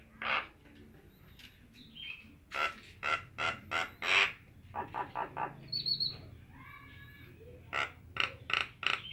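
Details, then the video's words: Nias hill myna calling in loud harsh bursts, several in quick series, broken by a few thin whistled notes, then another run of rasping calls at the close. "Burung jalak nias"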